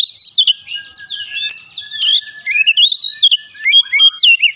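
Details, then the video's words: Oriental magpie-robin, or kacer, singing when agitated and pouring out its repertoire of learned phrases: a rapid, unbroken run of varied whistled notes, slurred rising and falling phrases and sharp chips, with no other sounds. "PANCINGAN cepat Kacer emosi bongkar isian"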